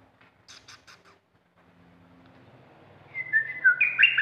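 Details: Caged red-whiskered bulbul kept as an aggressive decoy bird. Soft chips and a low hum open the recording, then a burst of loud, sliding whistled notes ends it.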